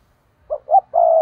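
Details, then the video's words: Spotted dove lure call used for trapping, in the style called thúc: two short low coos followed by a longer steady coo, clean with no other sounds. "Chim cu gáy thúc || tiếng chim cu gáy mồi chuẩn cực hay dùng kích bổi hiệu quả nhất"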